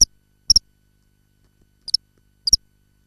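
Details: Common kingfisher calling from inside the nesting burrow: four short, shrill, high-pitched notes, some doubled, spaced about half a second apart and separated by silence.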